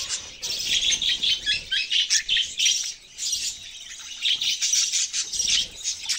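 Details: Budgerigar warbling almost without a break, a steady stream of high, squeaky chirps and twittered notes in rhythmic pulses, briefly pausing once.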